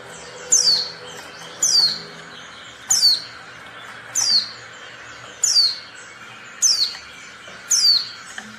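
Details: Oriental white-eye female giving calls meant to provoke silent males into singing; sharp high downslurred chirps repeated roughly every 1.2 seconds, seven in all, evenly paced above a low constant hum.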